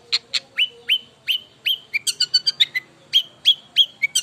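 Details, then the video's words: Long-tailed shrike in very active, loud song: rapid series of sharp whistled notes with downward slurs, a steady tempo of three to four notes per second, mixing clear whistles and chattering mimic-like phrases, quiet background. "Burung Cendet Super Gacor"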